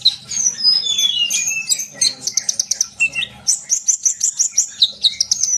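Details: {'caption': 'Sunbird in full song, used to spur other birds to sing: a rapid jumble of high twittering and thin whistled notes, then a run of quick repeated sharp chips, over a low steady hum.'}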